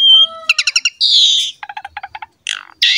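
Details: Short burst of Asian pied starling song meant to train other birds: a pure whistled note, rapid clicking series, a harsh buzzy stretch, a run of low ticks and a final rasping note.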